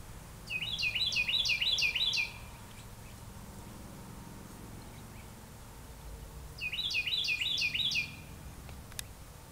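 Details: Newly hatched brown thrasher nestlings, the fifth of five, on 2 May 2020 at 2:38 pm, give two bursts of quick, high chirping notes, five or six in a rapid run, about five seconds apart, over a low background hum.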